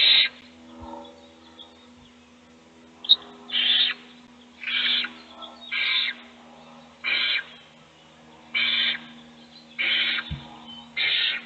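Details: Owl chicks in a nest box during a feeding while the others sleep. A steady series of rasping, hissy screeches, each under half a second, repeated about every second, with a low hum underneath.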